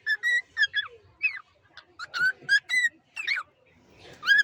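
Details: Pet cockatiel calling steadily: a rapid series of about a dozen clear, ringing chirps, each sharply rising or falling, spaced a fraction of a second apart. A short pause comes before one final loud chirp. No other sounds intrude.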